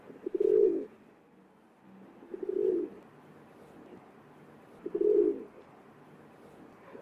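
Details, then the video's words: Rock dove (Columba livia), a feral pigeon, gives three low, throaty coos roughly every two to two and a half seconds, with a faint murmur in the background. "Rock Dove (Columba livia) Feral Pigeon Bird Call"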